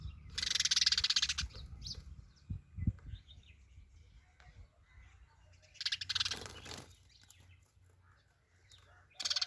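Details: Sparrow calling in short rasping, pulsed chatters, one loud burst at the start and another after a quiet gap, with faint low knocks and background hum between.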